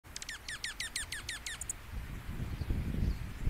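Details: A junco at -18 °C, competing with others, gives a quick "pew-pew" run of about nine bright, down-slurred notes over a second and a half, followed by low wind or handling rumble.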